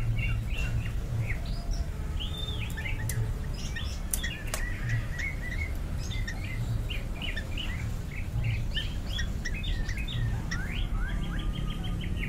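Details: Greater green leafbird (Chloropsis sonnerati), song.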